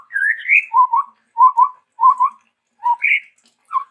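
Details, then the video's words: Chestnut-rumped babbler from Sumatra: after a rising opening whistle come low, mellow whistled notes in close pairs, repeated about every half second, and then a higher whistle. "TEPUS TUNGGIR MERAH GACOR VARIASI"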